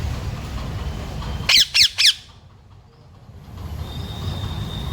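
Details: Talking pet parrot giving three harsh, raspy squawks in quick succession near the middle, each about a quarter second long, then quiet, over a steady low background hum.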